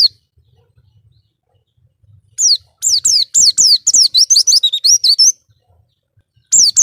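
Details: Oriental white-eye song used as a training recording for cage birds: after about two seconds of near silence, a rapid run of high, thin, downslurred whistles and twittering notes, ending in a brief separate burst.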